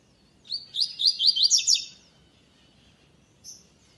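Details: Double-collared seedeater singing the classic song without the third note, entered in the second stage of a web singing tournament: a fast, high phrase of about eight sharp, slurred notes repeated in quick succession for over a second, then one short high note.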